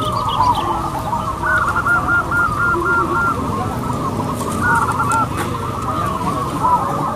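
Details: Local zebra doves sing at a singing competition. A loud series of short, evenly spaced cooing notes repeats about three times a second, then another shorter run follows, over a dense chorus of other doves and crowd murmur.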